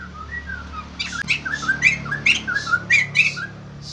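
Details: White-crested laughingthrush kept in a cage, soft slurred whistles building into a rapid series of loud harsh chattering bursts, faint low hum throughout.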